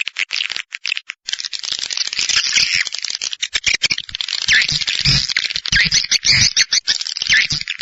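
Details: Swiftlet call sound meant to attract swiftlets, as used in swiftlet farming: a steady wash of high, raspy chittering, rattling like a fast scrape, mixed with dense ticking clicks.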